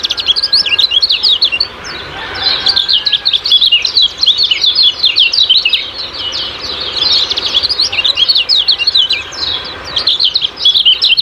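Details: Sustained 'ciak-ciak' song of a Lemon-bellied white-eye, a local training-song style for caged birds: fast, shrill, tumbling twitters packed tightly together, pausing briefly twice before resuming.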